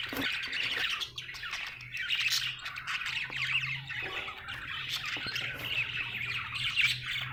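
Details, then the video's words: A happy budgie keeps up busy chirping, a scratchy warbled chatter with quick squawks, over a faint low steady hum. "Happy budgie chirping sound"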